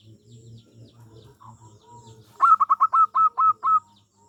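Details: Local zebra dove used as a lure to draw replies from other birds. After a low humming background, a run of about eight crisp, staccato notes comes evenly spaced. The notes are quick at first, then slightly slower.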